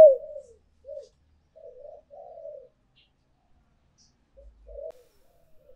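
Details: Spotted dove lure recording of urging and calling coos: soft, low, mellow coo phrases in short groups separated by pauses, quiet overall, with no other sounds.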